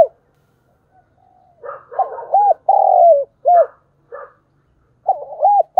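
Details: Caged decoy spotted dove cooing to call in wild doves, with thúc bổi phrases. After a quiet start come bursts of throaty, arched coos, one long drawn-out note among them, repeated in tight clusters.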